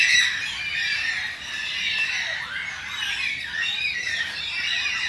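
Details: Several Carnaby's black-cockatoos in a suburban Perth backyard, southwest Western Australia, where the endangered birds have lost habitat to urban development. Continuous rasping, grating squawks overlap throughout, loudest at the start.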